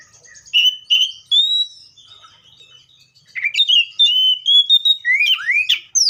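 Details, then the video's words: Seychelles magpie-robin singing loudly: rich whistled phrases, repeated warbled notes, then a lively run of rising and falling whistles toward the end. "COPSYCHUS SECHELLARUM BIRDS SOUNDS LIKE IN NATURE LOUD CLEAR SOUNDS"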